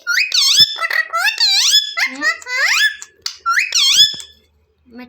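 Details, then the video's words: Pet green parrot with a red beak, described as angry, talking in a squeaky, strongly harmonic voice: short rising and falling phrases like "mommy", repeated in quick bursts with brief pauses, indoors in a small room. "Aaj Hamare Payara Mitthu Betu Bahaut Gussa Hai 😊🦜 || Parrot Video Original Sound Mitthu Mitthu"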